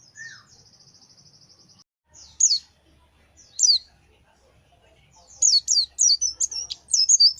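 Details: White-eye (pleci), a gacor fighter bird: a short falling note and a fine rattling trill, then a few isolated sharp high chirps, building at the end into a rapid run of downslurred twittering.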